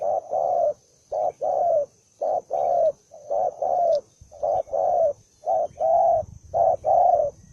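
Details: Combative spotted dove cooing loudly in an even rhythm, each phrase a short low note followed by a longer coo, repeated about once per second.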